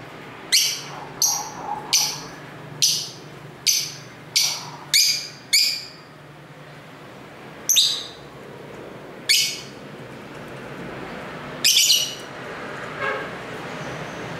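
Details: Lovebirds at home chirping to each other, recorded on a camera's built-in mic near a main street: a quick run of harsh, high, buzzy shrieks, then a few spaced calls, about eleven in all, over a faint street hum.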